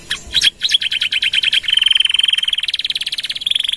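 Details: Domestic canary, gacor song with long nembak trills used for masteran and pancingan: a steady fast rolling trill of identical notes, a few per second speeding into a continuous tight rattle held to the end.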